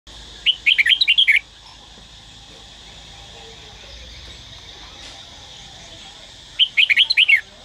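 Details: Red-whiskered bulbul from Dak Lak, Vietnam, singing: two quick phrases of about seven bright, warbling whistled notes, each lasting under a second, separated by roughly five seconds of faint steady background hum.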